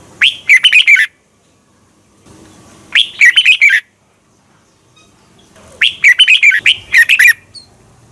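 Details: Morning competition song of a red-whiskered bulbul, played to stimulate birds in training; three bright phrases spaced roughly 2.5 to 3 seconds apart, each a rising whistle and fast bubbly warble, the last one extended.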